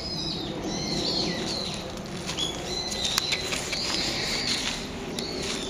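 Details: Brown-eared bulbul's ordinary morning call, recorded 26 November: clear shrill whistles gliding up and down, a run of slurred notes followed by a longer drawn whistle, with soft clicks and hiss.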